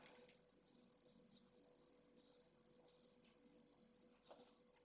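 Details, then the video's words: Hours-old pallid swift nestling of a second brood begging hard for food during its first feeds, nest camera in Jerez de la Frontera, Esclavas de Jerez. Thin, sibilant buzzing bursts follow one another closely, broken by brief gaps. "PRIMERAS CEBAS pollo de 2ª puesta - Vencejo pálido"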